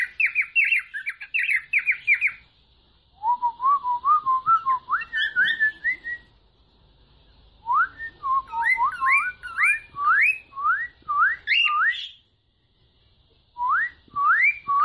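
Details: Cockatiel (Nymphicus hollandicus) singing bursts of clear whistles, many sweeping upward, in quick repeated phrases.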